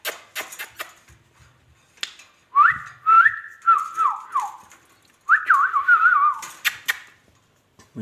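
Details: Talking ringneck parrot: two longer runs of tonal, speech-like phrases with stepped, wavering pitch, the second run following a short pause, surrounded by sharp clicks and taps.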